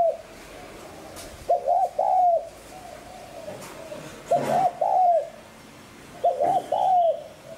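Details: Spotted dove cooing in the 'hạp bổi' voice style, played to stimulate decoy doves into calling: three low phrases, each a quick double coo then a longer slurred croo, spaced about two seconds apart, with quiet background.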